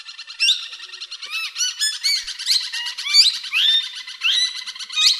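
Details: Tame, talking plum-headed parakeet (Psittacula cyanocephala) chattering in a steady run of high, quick whistles, squeaky chirps and short squawks, rising and falling notes tumbling over each other.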